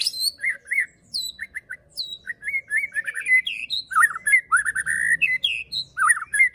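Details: Pastol fighter song of a white-rumped shama (murai batu), used to rouse other shamas: clusters of quick whistled notes, high sweeping chips, then a dense run of warbled phrases building in pace.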